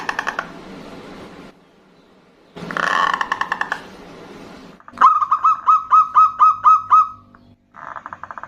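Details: Zebra dove, a female calling to a male, answering back and forth with a loud-voiced local male: harsh rapid pulsed bursts, then a clear series of about nine quick hooked whistled notes, then another brief pulsed burst.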